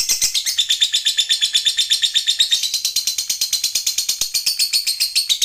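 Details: Lovebird giving a long ngekek trill (ngekek panjang), recorded as a tutor recording for training other birds. A continuous, harsh, high chattering rattle of rapid pulses runs unbroken for the whole stretch, steady in pitch and rhythm.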